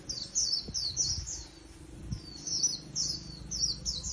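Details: Japanese white-eye, a wild-caught cage bird, singing bursts of very high, fast, tinkling notes in short clusters separated by brief pauses, with faint low background noise.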